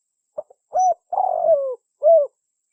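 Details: Spotted dove lure call used by bird trappers: two short soft clicks, then a hooded coo, a longer rolling purr sliding downward, and a final mellow coo, all low and clean in a quiet setting.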